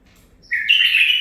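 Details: Brief loud warble from a nine-month-old captive-bred male bulbul: a fast upward onset into a strong, fluttering whistled note held to the end.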